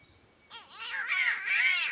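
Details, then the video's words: Spotted catbird from Australia giving its cat-like call: after half a second of near quiet, harsh nasal wailing notes with arched, strongly layered tones, growing louder and running together toward the end. "Australian Bird that Sounds like a Cat!!"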